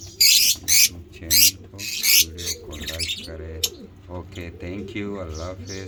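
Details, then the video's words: An African lovebird (mutation) gives shrill, harsh 'ngekek' screeching bursts, three in quick succession, over a steady low hum and a murmuring voice-like background. "lovebird ngekek"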